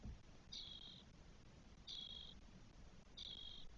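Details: Spotless starling chicks, four in one nest on day 12, Spain, early June 2022: three rasping, hissing notes, each about half a second long and spaced just over a second apart, over faint low noise.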